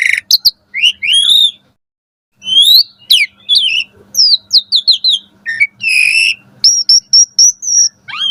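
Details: Morning Asian pied starling song aimed at coaxing caged birds: scattered upslurred whistles and buzzy notes after a short silence, ending in a steady row of flat high whistles and a final downward slur.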